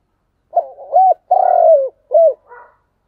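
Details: Single spotted dove thúc gù phrase: a low lead note, a rising hook, a long purring coo dropping at its end, and a short hoot, followed by a faint scratchy note.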